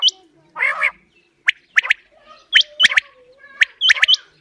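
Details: Quail calls used as a hunting lure: sharp high hooked whistled notes in quick pairs and triplets, alternating with harsher buzzy, quacking bursts.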